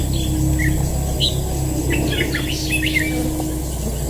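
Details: Red-whiskered bulbul held as a fighting bird in a trap, uttering a fast flurry of sharp, chattering whistled notes over a loud steady low hum and a thin tonal drone.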